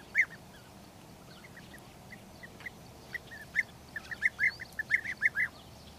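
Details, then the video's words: European bee-eater calls, short throaty rolling notes, sparse at first and then quicker toward the end, fairly faint against a noisy hiss. "European bee-eater call"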